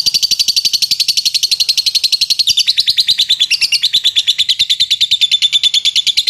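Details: Champion lovebird singing in the latah style: a long, unbroken, high-pitched chatter of rapid, even pulses that drops slightly in pitch partway through and carries on steadily.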